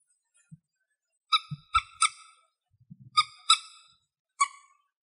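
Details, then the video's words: Young common moorhen, hungry and eating grass somewhere in Greece, gives about six short, squeaky, nasal calls in uneven pairs over five seconds, with a few soft low knocks between. "Common Moorhen bird calls"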